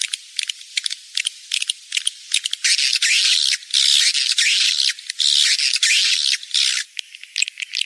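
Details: Rainy-season breeding lure call of edible-nest swiftlets: rapid dry clicking gives way to loud, dense, shrill twittering and rasping chirps, then clicks return near the end.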